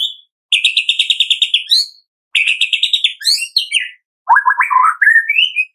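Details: Morning lure song of a White-rumped shama, Medan type, sung vigorously with many filler phrases: fast rattling trills of repeated high notes, short twisting whistles, and a lower warbled trill ending on a rising whistle.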